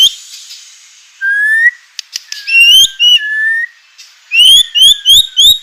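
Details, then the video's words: White-rumped shama song for provoking other shamas: a soft hiss, then a rising whistle, clicks, and varied whistled phrases, ending with a quick series of four or five bright rising notes. "murai batu gacor AMPUH UNTUK pancingan murai batu agar emosi"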